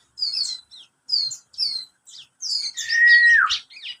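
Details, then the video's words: Thirty-day-old juvenile bar-winged prinia already twittering (ngeriwik) in rapid bursts (nembak): short, high, thin chirps in quick clusters separated by brief pauses, ending with a longer sweeping whistle that slides downward. "burung ciblek kristal usia 30 hari sudah ngeriwik nembak nembak"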